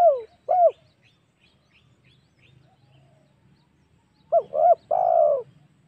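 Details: Spotted dove recorded as a lure to provoke wild doves for hunting: a pair of short rising coos, a pause, then a full phrase of two quick coos and a drawn-out falling note.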